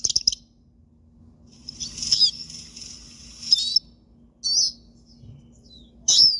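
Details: Siskin kept as a pet, uttering a drawn-out buzzy wheeze followed by several brief, high, slurred chirps, with a low background hum.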